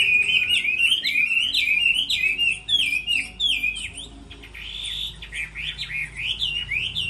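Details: Chinese hwamei competing in song while moulting, a rapid, loud sequence of rising and falling whistled notes repeated several times per second, breaking into a slightly softer, more measured series later.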